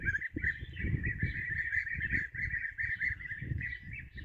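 A flock of European bee-eaters gives overlapping liquid, rolling 'prruip' calls in a steady chorus, over low rumbling wind or handling noise.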